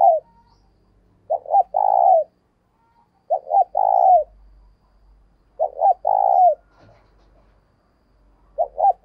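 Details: Spotted dove decoy in full cooing, meant to prompt another bird to call: four repeated phrases roughly every two and a half seconds, each two brief notes then a long, low, downward-curving coo, with a faint low rumble.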